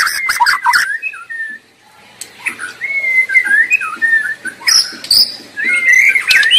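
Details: Wild white-rumped shama song: loud chattering notes at the start, then a quieter stretch of varied, warbling whistles with slides and trills, growing louder again toward the end.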